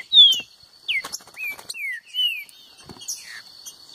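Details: Green-winged saltator singing in competition against a free bird: clear descending whistled slurs, several in a row about half a second apart, with a faint steady high tone and scattered soft chirps.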